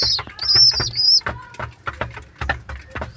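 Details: Two baby pigeons (squabs) give a 'chu-chu' voice: a few high, thin, drawn-out squeaks early on, then mostly scattered soft clicks and rustling.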